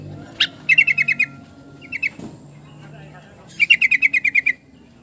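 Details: Yellow-vented bulbul calling in rapid chattering trills of seven to nine crisp notes, with a short two-note fragment between the longer bursts and soft background hum.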